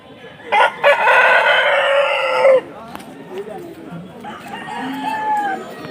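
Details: Desi rooster at a market where chickens are traded: one loud, harsh crow of about two seconds, opened by two short rising notes and then held on a strained level tone before cutting off, followed by softer clucks and people talking.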